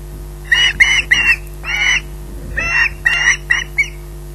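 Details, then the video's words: Osprey waiting for food at RSPB Loch Garten, pottering between squawks: eight hoarse squawks at uneven intervals, some clipped, one drawn out, against a faint steady hum. "pottering between squawks waiting for food"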